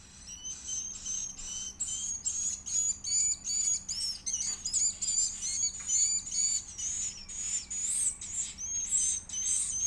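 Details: Edible-nest swiftlet chick begging while fed: high, thin squeaks in regular pulses, roughly two per second, each with a short upward or downward inflection, over a faint steady hum.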